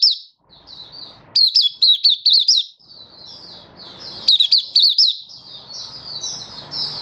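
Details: Kept Malaysian white-eye (mata puteh) singing happily in Singapore on a stable, warm, sunny 20 March 2023; two fast runs of high, looping whistled notes, with softer, thin twittering between and after them.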